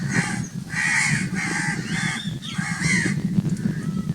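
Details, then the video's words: Very loud crow cawing: several hoarse, grating caws in a row, then quieter calls fading out over a low background rumble. "Very Loud crowing sounds of crow birds"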